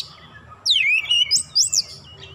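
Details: Brief Oriental magpie-robin song used as a lure: after a quiet start, a loud descending whistled sweep, then two high looping whistles, over low background murmur.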